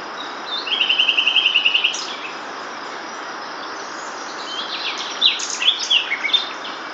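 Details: Common nightingale singing in April during breeding season by a riverbank, about 5 metres away: a rapid run of about fourteen identical clipped notes, then a pause and a varied burst of higher whistles and chirps over steady background hiss.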